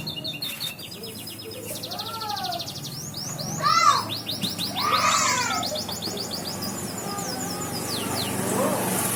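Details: Atlantic canary singing: fast trilled runs of short repeated notes, some rising and falling sweeps, with faint speech and a low hum in the background.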